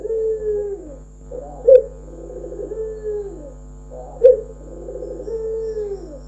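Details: Local Barbary dove, a trained bird performing its cooing (manggung): low, mellow coos, each phrase opening with a sharper accented note then a long gliding purr, repeated about every two and a half seconds; steady low hum behind.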